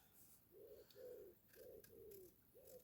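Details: Pigeon or turtle dove (observer unsure) outdoors in hot weather: soft, low, hollow coos, five smooth notes in quick succession about half a second apart, over faint background ticks.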